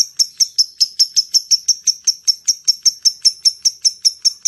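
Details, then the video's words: Ticking lovebird call meant to attract other lovebirds: a long even run of short, very high, clicking notes, roughly four to five per second, dry and metallic, in a quiet setting. "SUARA LOVE BIRD ( LABET ) NGETIK, NGEKEK PANJANG AMPUH UNTUK MEMANCING LABET YANG LAIN"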